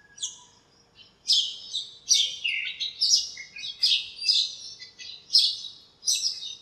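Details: On a sunny morning, birds gathered in a backyard lemon tree repeat crisp, high chirps about twice a second after a quiet opening second, each note sharp and downward-sweeping.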